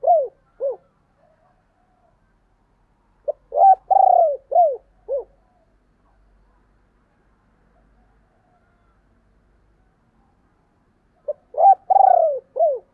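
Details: Spotted dove calling in 2022, thúc and gáy gọi styles: three bursts of hoarse, mid-pitched coos, each a short phrase of downward-bending notes, separated by long silent gaps.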